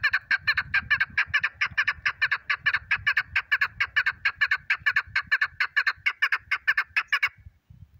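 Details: Chukar partridge calling in a loud, rhythmic run of harsh clucking notes, about two per second and very evenly spaced, for seven seconds before stopping, with soft low rumbling underneath.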